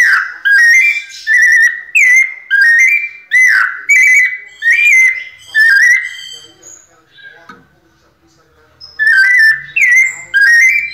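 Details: Caged, ringed White-necked thrush singing in the pianado style: clear whistled phrases near one pitch, each note bending up or down, delivered in quick bursts about every half second, then a pause of a few seconds before the phrases resume.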